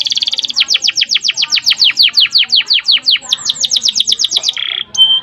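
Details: Vigorous canary song with long, dense rolls, used as a master recording while other canaries grow excited. A rapid buzzy trill leads into a steady run of descending whistled notes, about three per second, then a brief flat buzz and a sharp note.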